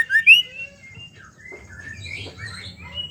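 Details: Female white-rumped shama ketrekan meant to trigger male song: two bright whistles at the start fading into soft, faint warbling.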